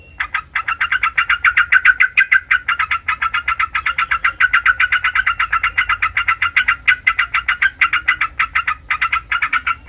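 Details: Yellow-vented bulbul training recording meant to make other bulbuls answer noisily: a steady, fast chatter of short bubbly notes, about three or four per second, running without a break for ten seconds.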